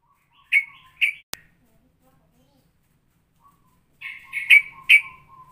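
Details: Straw-headed bulbul singing ropelan, a variation compared to Cucak Rowo combined with Cucak Jowo: two loud whistled notes, a sharp click, a pause, then a cluster of quick bright notes over a thin low tone.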